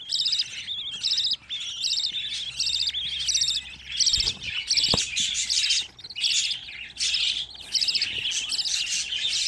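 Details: Loud, overlapping budgerigar chick chirps from a group of fifteen young birds kept together. The calls are high and grating, packed in uneven bursts of roughly one to two per second.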